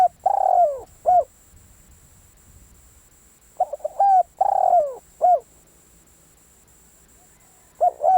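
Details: Spotted dove kept as a decoy bird, giving mellow cooing phrases. A hoarse drawn-out note slides downward between shorter clipped coos. The phrases repeat after several seconds of near silence.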